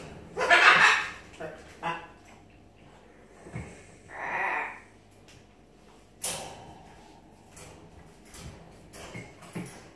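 A macaw gives a loud, harsh squawk, then a few raspy, scratchy outbursts spaced over several seconds in a quiet indoor room.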